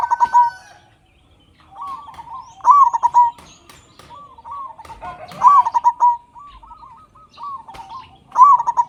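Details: Zebra dove, local Indonesian type, singing as a lure to stir captive doves to sing: repeated bursts of fast, bubbling coos about every three seconds, softer rolling coos between, and scattered clicks.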